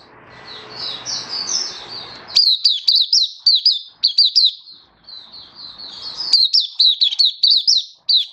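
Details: Mata puteh, the oriental white-eye, singing in happy 'buka' style, recorded 24 February 2023. A soft high warble over a background hiss gives way to bursts of crisp, falling chirps, then more twittering and another chirping burst.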